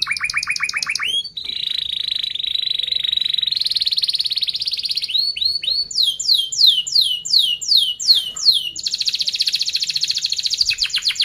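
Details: Canary used to tutor young birds, singing fast close-rolled trills: rapid repeated chirp series, a long sustained buzzy trill, then swift descending notes and a final high rapid trill.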